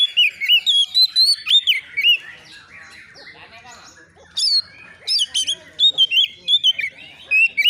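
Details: Oriental magpie-robin, a wild-caught young bird answering a rival in agitation: repeated loud whistled phrases with sharp upward and downward slides, broken by a stretch of softer scratchy twittering.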